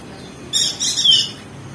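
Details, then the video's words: Ngeriwik song of a crested white-eye from Lombok, meant to prompt lazy birds to sing: one sudden burst of harsh, buzzy, high-pitched chatter with a faint thin whistle slurring down through it. "Masteran perenjak daun [ opior jambul ] ngeriwik josh"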